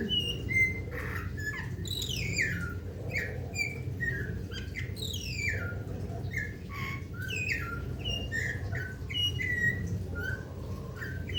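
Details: Melodious rare Papuan Golden myna in a busy run of notes: quick whistles, sharp descending sweeps and short chirps crowding together almost continuously, with a persistent low hum beneath.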